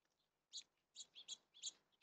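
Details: Rainy-day birdsong: short, sharp, high-pitched chirps come in a quick irregular series, five notes within about one and a half seconds, over a quiet background.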